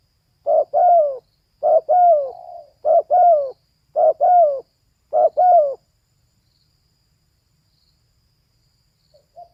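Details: Female spotted dove giving five soft, mellow coo phrases, each a quick double note with a slight downward slur, spaced about a second apart, then quiet for the last few seconds with one faint note at the end.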